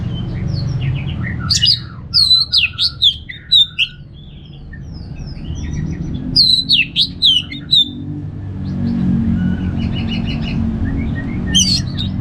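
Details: Orange-headed thrush, a kept bird from Singaraja in northern Bali, singing clusters of quick varied whistles and chips in two bursts several seconds apart, followed by softer rapid notes; low rumbling background noise.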